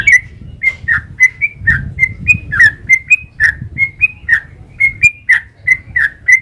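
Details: Sooty-headed bulbul (trucukan) in long 'ropel panjang' singing, used as a lure to draw other bulbuls into answering: fast run of short whistled notes alternating slightly higher and lower, about three per second, over a low rumbling background.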